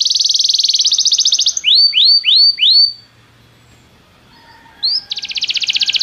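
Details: Belgian canary song during training: a rapid buzzy trill, then four slower rising-and-falling swoops, a short pause, a single upward note, and the fast trill resumes.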